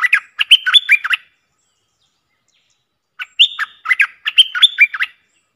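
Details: A streak-eared bulbul in wild-bird territory during a Thai decoy session gives two quick bursts of bubbly, chirping notes. Each burst lasts about a second and they come about two seconds apart, with otherwise silent background.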